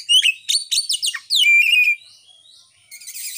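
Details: Kacer, the Oriental magpie-robin, lure song for stimulating kept birds, recorded by phone; dense rapid series of downward-sweeping whistled notes, then a loud buzzy sustained whistle, fading into soft rustling.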